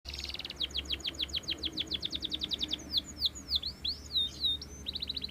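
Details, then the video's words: Belgian canary singing abundantly: a fast series of descending high whistled notes, about a dozen in a rapid run, then slower looping, sweeping whistles, ending with a brief renewed trill; low background hum. "CANARIO BELGA CANTANDO MUITO"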